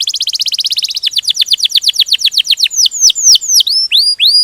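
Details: Canary singing a rolling 'ngerol' phrase: a fast buzzy roll that slows into evenly spaced down-swept whistles, then into a few slower ringing upward-curving notes, loud and clean.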